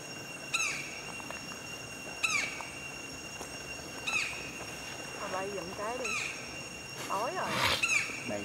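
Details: White-bellied woodpecker in Vietnam at dusk: loud, sharp, down-slurred notes roughly every two seconds, with people talking in the background.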